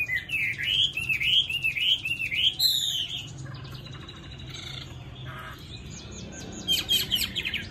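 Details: Tame Chinese hwamei with a fine voice, pouring out rapid looping whistled phrases, then buzzy, scratchy notes and chatter, with a final burst of high twittering.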